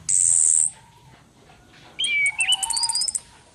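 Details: Calling female orange-headed thrush used as a lure: a loud, drawn-out high whistle, a pause, then warbled descending slurs mixed with rapid high ticks.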